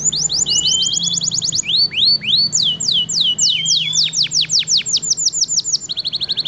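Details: F1 canary singing nonstop as a training model: fast high trills, rising slurred whistles, a cascade of steep downward sweeps, and a closing quick rattle, with faint low hum beneath.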